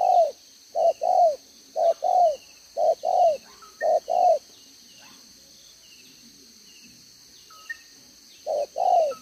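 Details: Decoy spotted dove with a two-row spotted neck collar, 11 June 2023, giving 'đồng gáy 1 hậu' cooing. Couplets of deep, rounded coos come at steady intervals, then a pause of several seconds before cooing resumes. Faint thin whistles from another bird.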